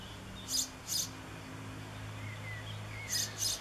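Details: Young European pied flycatcher in a backyard on 7 June 2013, calling for a parent: short, sharp, high ticking notes in two pairs, faint over a steady low hum and soft distant whistles of other birds.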